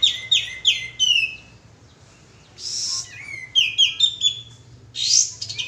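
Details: Bulbul (kapas tembak) lure call: sharp high notes sliding down, a pause, a breathy burst, then choppy bright chirps and another rushing note, over faint low hum.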